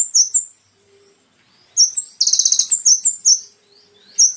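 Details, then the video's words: Olive-backed sunbird, called kolibri ninja, recorded to train caged birds: scattered high sliding chirps, then a short rapid buzzy trill and more sharp downslurred whistles. "MASTERAN BURUNG KONIN TERBAIK SEPANJANG MASA FULL ISIAN MEWAH MATERI KOMPLIT"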